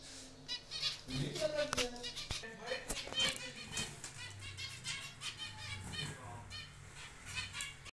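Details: Zebra finches in a breeding aviary colony give a busy chorus of short, nasal, buzzy beeps, overlapping and repeated throughout, with wing flutters and faint music or voices behind.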